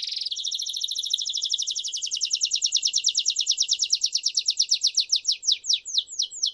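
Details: Timbrado canary song used as a tutor for young birds. A fast high trill gradually slows until the notes separate into distinct downward-sweeping chirps near the end.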